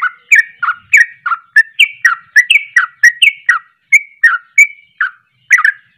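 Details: Excited sooty-headed bulbul giving its provoking 'ropelan' song: continuous chain of short fluty, warbling notes, varied up and down in pitch, a few drawn-out whistles near the end.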